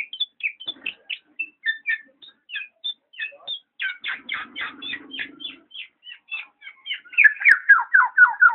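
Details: Black-naped oriole delivering scattered high chips that build into a denser burst of rich notes, ending in a run of rapid, harsh, downward-slurred calls; a faint low hum sits underneath midway.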